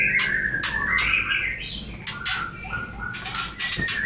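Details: White-rumped shama fledglings kept in a breeding cage call with thin whistled notes that rise and fall, broken by loud broadband flutters of wings and cage noise.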